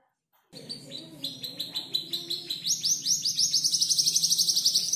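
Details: Canary around five months old practising mimicked song phrases: after a short silence, quick repeated chirps that speed up into a dense high trill, over faint low background hum.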